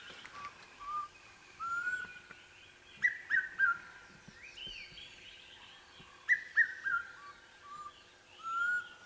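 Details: A Black Cuckoo, heard calling from somewhere overhead but unseen, on a sunrise safari drive in November, gives mournful whistled three-note phrases, likened to "I'm so sad", about every three seconds, with other soft whistles and faint bird chatter.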